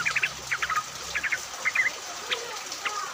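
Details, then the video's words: Yellow-vented bulbuls from a group used as a singing lure, calling on in rain; quick clusters of sharp chirps come in bursts, then scattered single notes over hiss. "pancingan trucuk agar bunyi, pancingan trucuk ombyokan, trucuk gacor!"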